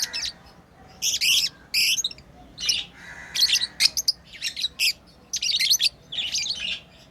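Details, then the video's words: Playing pet lovebirds produce loud, shrill, scratchy chirps in rapid clusters, some doubled, continuing busily with short gaps. "Lovebirds playing & Chirping sounds"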